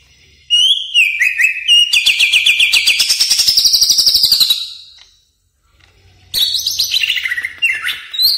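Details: Greater green leafbird, or cucak ijo, singing a full varied song meant for training caged birds: slurred whistles, then a long rapid buzzing trill, a short silence, and more descending whistled phrases.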